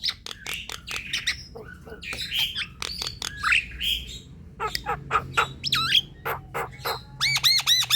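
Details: Chattering Javan myna (jalak kebo) song played to coax quiet birds into song: dense mix of harsh clicks, squawks and brief whistles, with a looping whistle and a quick burst of arched notes near the end.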